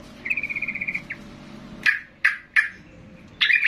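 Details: Sooty-headed bulbul stirred by a loud singing bird; a fast even trill of rapid notes, then short separate bubbly chirps a few tenths of a second apart.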